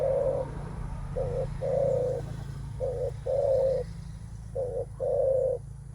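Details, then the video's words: Spotted dove 'menguku' call, given by mostly male birds facing a rival to test strength; mellow low coos in pairs, short note then longer one, repeated about every one and a half seconds over a steady hum. "Suara menguku terkukur"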